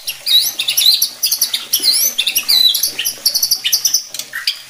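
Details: Rapid, high, varied chattering and twittering from a White-rumped shama, played to provoke other shamas, with many sweeping and mimicking notes packed together almost without pause.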